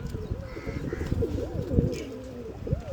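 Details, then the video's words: Pigeon giving short arched coos that swell and drop, against a busy low-pitched background hum. "kabotar ki awaz | sound of pigeon"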